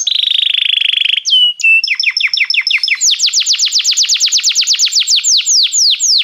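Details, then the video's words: Singing Belgian canary, for warming up a canary: a steady buzzy roll, brief whistles, then rapid clipped notes turning into a long fast run of downslurred whistles. "canário belga muito lindo cantando, aqueça seu canário imediatamente"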